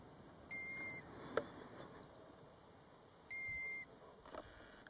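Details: European golden plover near its nest, only seven feet from a roadside at Batsfjord, recorded from a car: two plaintive, level whistled notes, each about half a second long, spaced nearly three seconds apart over a quiet background.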